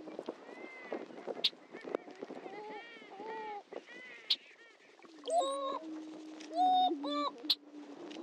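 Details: Greater prairie-chickens at Dunn Ranch Prairie's historic lek in Hatfield, Missouri: busy cackling and whooping from many birds, followed by long low booming moans with loud rising whoops over them.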